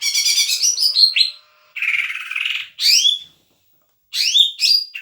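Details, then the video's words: Leafbird singing energetically, its repertoire said to include Doraemon-style material: a dense burst of high, rapid chattering notes, then a buzzy trill and sharp rising and falling whistled sweeps, separated by brief silences. "kicauan hijauan gacor isian doraemon"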